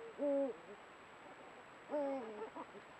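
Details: Eurasian eagle-owls, a breeding pair at their meeting spot filmed with a camera trap, giving guttural courtship contact sounds. Two strong calls about 1.7 seconds apart, each level and then stepping down, followed by short softer notes.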